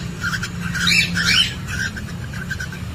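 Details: Parrotlets recorded by camera inside their nest box while breeding and laying eggs give rapid, harsh squawks and chirps, with two louder scratchy bursts in the middle, over a steady low hum.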